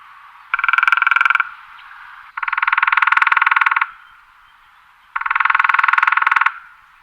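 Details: A woodpecker knocks in three fast, even drum rolls of roughly a second each, separated by short pauses, with a hollow, resonant ring to each roll.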